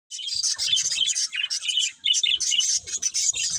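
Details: Several pet budgerigars chirping while playing: dense, scratchy warbled chatter packed high in pitch, in quick overlapping bursts with a brief pause near the two-second mark, faint low thumps beneath.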